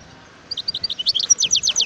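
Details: Wild European goldfinch singing in 2018: after a short quiet start, thin high notes build into a rapid series of descending twitters that keep going to the end.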